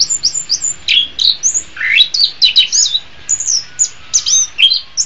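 An orange-headed thrush sings a rapid, unbroken run of high, sweet whistles and sharp chattering notes, full of quick rising and falling slurs, with no other sounds.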